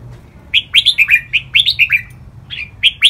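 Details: Red-whiskered bulbul song, a training recording in the riek, double and lak wai styles. Rapid, lively sequence of clear whistled notes, each sliding downward, delivered in two quick runs and a short closing phrase.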